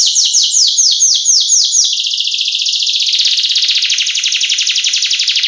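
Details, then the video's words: Female canary singing to lure a male, vigorous isian-style lure and tutor song: a quick run of descending sweeps in the first two seconds gives way to a long, steady, rattling high trill. "Pancingan dan masteran burung kenari gacor cengkok isian"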